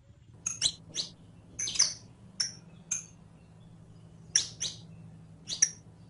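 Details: On a track for teaching captive saffron finches (canario criollo) to sing, the bird gives bright high chirps in loose pairs and triplets, separated by gaps of up to a second, over a low hum.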